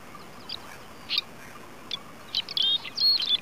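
Red-rumped swallow giving short, high chirps and brief twittering notes, irregular and quickening toward the end, over a soft steady background hiss.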